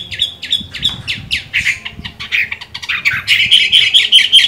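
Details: A Chinese hwamei still singing well while moulting gives a rich, varied run of loud whistled and slurred phrases, ending in a rapid series of clear, repeated high notes.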